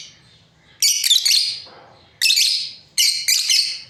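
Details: Pair of breeding lovebirds uttering three loud, rasping high shrieks, the first longest, separated by brief silences.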